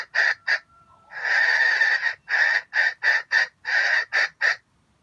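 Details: Red junglefowl used as a bait bird in a trap, crowing in a stuttering voice likened to grinding: harsh, rasping bursts broken into choppy pieces, a long grating middle note, then about eight quick staccato pulses within five seconds.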